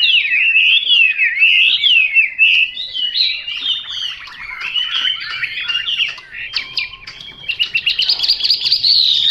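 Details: Chinese hwamei song: fluent, looping whistled phrases that slide up and down, turning into quicker choppy notes midway, then a bright run of rapid repeated high notes near the end.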